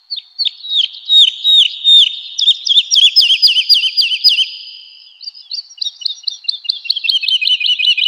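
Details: Woodlark song in a spring forest: two runs of quick, liquid, slightly falling fluty notes repeated in a rolling series, high and clear against a quiet background.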